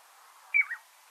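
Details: Piping Plover gives a single clear, piping two-note high-low 'peep-lo' call over faint room hiss; the call is often heard on the beach before the bird is seen.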